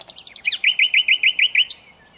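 A common nightingale opens with a few dry ticks, then sings a fast series of eight identical rising whistled notes at about eight per second, ending in a faint thin note.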